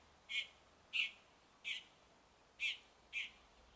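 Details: Red-backed shrike singing and imitating the voices of other birds: five short, bright chirps spaced about half a second apart, each a compact burst with a faint higher overtone, over a soft steady hiss.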